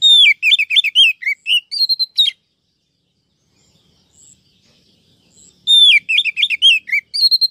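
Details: Female Oriental magpie-robin, a trapping recording meant to draw males: two bursts of quick, varied chirps and slurred whistled notes, each burst about two seconds long, separated by a pause.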